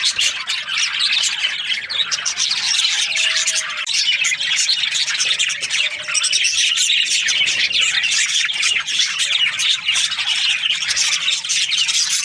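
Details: Morning chatter of budgies: many overlapping high, rapid chirps and twitters form a steady, unbroken wall of sound, with a few faint low whistled notes.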